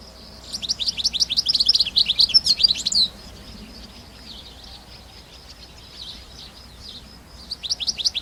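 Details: Wild European goldfinch singing in bursts of rapid, high twittering chirps, a quieter stretch in the middle, then the twitter resuming.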